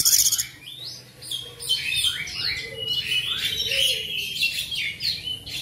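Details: Black magpie-robin, a kept songbird used to spur caged birds into singing; varied whistled phrases sliding up and down, with rapid chattering notes and mimicked fragments over a faint low hum.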